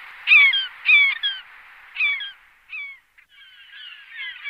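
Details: Glaucous gull calling in a few loud, nasal, downslurred bursts, then softer calls fading into a faint mix of distant gull voices.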